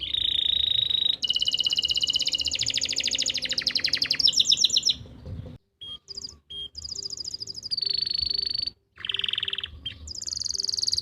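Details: Training song of a canary, recorded in Pati, Central Java, meant to prompt stalled or juvenile canaries to sing: a varied run of rapid trills and sharp whistled notes broken by brief pauses.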